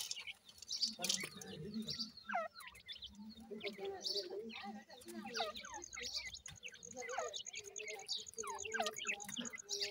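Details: Grey francolin (teetar) chicks calling: many thin, curving whistled chirps, rising and falling and overlapping, some tracing sharp hooked sweeps, with a steady high tone in the second half and a low murmuring hum beneath.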